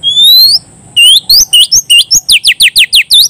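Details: Oriental magpie-robin singing loudly and actively to call a rival: rising, sweeping whistles, then a rapid run of about a dozen sharp, downslurred whistled notes in quick, even succession. A steady high tone runs underneath.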